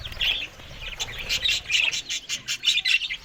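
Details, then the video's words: Australian budgerigars eating green food in the morning, giving bursts of high, scratchy chirps and twitters in quick uneven clusters, with brief gaps between the bursts. "Australian Budgies morning Eating Green Food"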